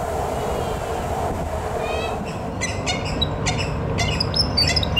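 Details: A Willie wagtail at Glen Iris Park, Melbourne, Victoria, Australia, 23.08.2021, gives a run of sharp, high chattering notes in quick bursts over a steady low rumble of background noise.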